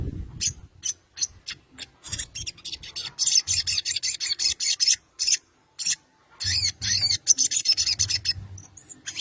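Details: Sogon, the crested jay, calling a rival: rapid dry rasping rattles in a fast series of short bursts, broken by brief pauses, with faint low murmuring under the start.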